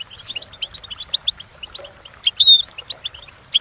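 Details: Goldfinch song for training, European species: lively high twittering of short clipped notes, a pause, then a loud ringing whistled phrase with buzzy trills; background otherwise quiet.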